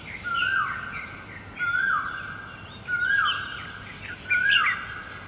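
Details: Great barbet recorded in Guangzhou, April 2022, giving four strong mellow notes about every 1.3 seconds, each a short rise then a wavering drop. Faint high twitters from other birds run in the background.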